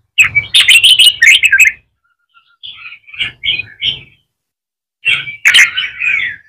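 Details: A wild-caught red-whiskered bulbul being trained to sing gives three bursts of bright, rich warbled phrases, quick, chirpy and liquid, separated by short pauses, with faint low knocking underneath.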